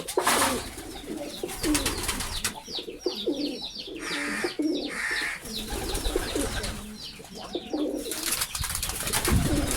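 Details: Pigeons cooing in a pigeon-keeping setting, steady low rolling coos running almost continuously under loud clicks, rustling and wing noise, with scattered high bird chirps throughout.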